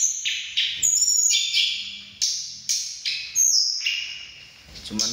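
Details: Mountain forktails, agitated on finding each other, sing against each other in a fierce vocal contest: thin, shrill, high whistled notes about four a second, uneven and overlapping; faint background noise.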